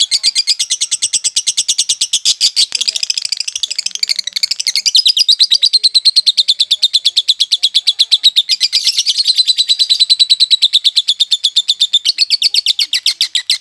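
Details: Long unbroken konslet chatter from a violet lovebird still in training: a dense, buzzy stream of rapid high ticks lasting over thirteen seconds. The stream swells into louder, harsher passages and then settles back to the fast steady rattle.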